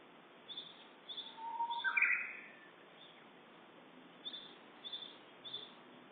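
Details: Japanese bush warbler in Uda, Nara Prefecture, Japan, on the morning of 10 April around 11:30, giving a low whistle that swells and bursts into a bright, slurred ending, with soft high chirps repeating before and after.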